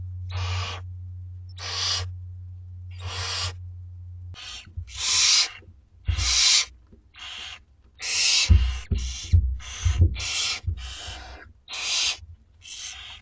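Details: Two-week-old barn owlets in a school garden nest at dinner time, giving harsh hissing snore-like begging calls, about half a second each, in a rapid irregular series that crowds together later, with low bumping and rustling underneath.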